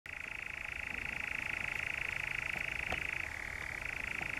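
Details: European Nightjar recorded in the Brecks, Norfolk, on 7 July 2017: an unbroken, rapid mechanical churr, steady in pitch, that drops slightly lower for its final second. The background is otherwise quiet.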